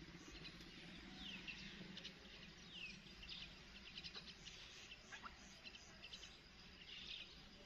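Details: Myna feeding its young outdoors: sharp chirps and quick downward-sweeping squeaky notes, scattered over a steady rural background hum with faint low rumble.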